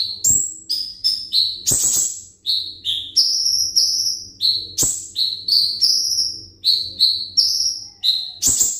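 A sunbird sings a fast, thin, very high series of sharp chips and short slurred whistles, with a few dry clicks or taps between phrases.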